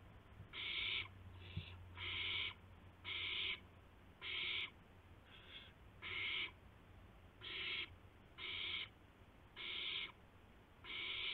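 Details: Early-morning owl scene, 2:51 AM on 2 April 2016, with a gopher brought in. Repeated broad, raspy hisses of varied strength, some weak and short, most strong and about half a second long.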